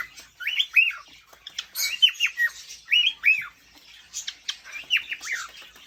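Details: Raspy arched chirps in paired and tripled bursts from a male cockatiel courting a female, with quiet gaps between bursts.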